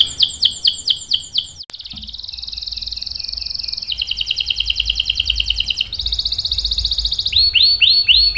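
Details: Lure song of a canary to set other canaries singing: quick descending chirps, a click, then extended buzzy rolling trills changing pitch, ending in looping whistled notes.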